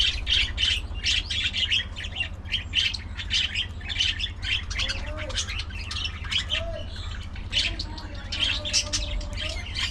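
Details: Budgerigar colony of social birds: constant high chirping in rapid bursts, several notes per second, with a few lower warbling squeaks mid-way over a steady low hum.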